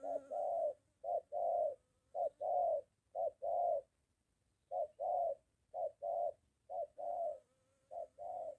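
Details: Spotted dove near home in Gia Lai, Vietnam, a moulting decoy meeting a wild dove: repeated two-part coos, a quick note then a longer one, pausing briefly midway before resuming, with faint background hum.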